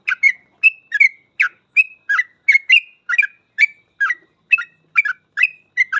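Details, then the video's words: Continuous 'gacor full ropel' song from a sooty-headed bulbul, meant for teaching other trucuk birds: crisp burbling two-note whistles repeated steadily about two and a half times per second, clean and without background noise. "Suara trucukan gacor full ropel ini cocok banget buat masteran trucuk agar cepat ikut ropel"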